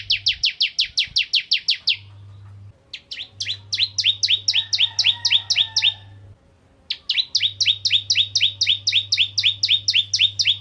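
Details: Singing crystal bar-winged prinia used as a lure for other prinias: three long bursts of rapid, metallic chip notes, each run several seconds, separated by brief pauses, with a soft low hum throughout.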